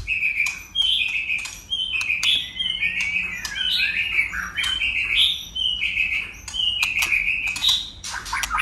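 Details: White-rumped shama in enduring contest song, switching voices: quick strings of whistled and warbled phrases punctuated by sharp clicks, with short gaps between bursts.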